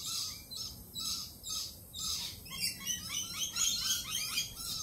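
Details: Lorikeets, on edge after a Peregrine Falcon attack earlier in the week, let out rapid shrill screeching chatter, spaced notes at first, then a dense overlapping flurry from several birds.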